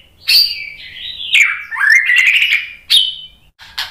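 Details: White-rumped shama singing a lure song intended to make listening shamas respond: a sharp high note, then a long varied run of warbles sliding down and up, ending in a clear falling whistle and a brief chip.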